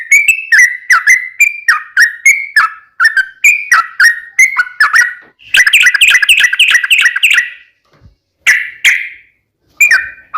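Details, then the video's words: Sooty-headed bulbul singing as a lure for other bulbuls: a run of falling whistled notes about three per second, then a dense chattery burst, a pause, and two more short phrases. "SUARA trucukan gacor ROPEL PANJANG pancingan trucukan agar bunyi"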